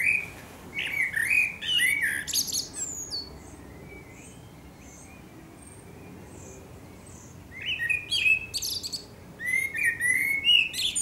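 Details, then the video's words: A Eurasian blackbird (Turdus merula) sings at sunset, Akersloot, Holland, 30 March 2018: a flowing run of low whistles and scratchy high twitters, several seconds of near silence, then another warbled burst. "Singing Eurasian Blackbird"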